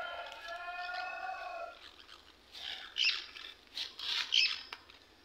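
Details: Two pet green parakeets at feeding time. A smooth, harmonic, slightly descending call gives way to a string of scratchy squawks and chatter, repeated roughly once a second.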